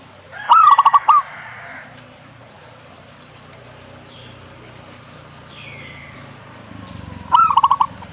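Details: Zebra dove song heard twice about seven seconds apart, each phrase a rising attack and a rapid run of throaty pulsed coos. Faint bird chirps and low rumbling background noise fill the gap.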